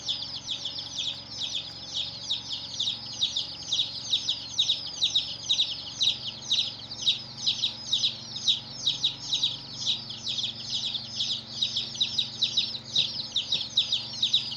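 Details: A brood of baby chickens cheeps continuously for a long stretch, many high, thin peeps overlapping in a steady, pulsing chorus that rises and dips in loudness roughly twice a second.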